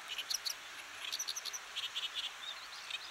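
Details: Oriental Reed Warbler of Japanese fields, grassland and watersides. Softer, more distant scratchy chattering in short clustered notes, with a few thin squeaky whistles over faint background hiss.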